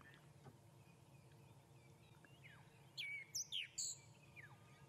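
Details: Groundscraper Thrush on an early November morning (2 Nov 2016) during a sunrise safari drive near Djuma after overnight rain, giving a quick run of four or five high, sharp, clipped whistled notes after a few faint descending whistles, over a low engine rumble.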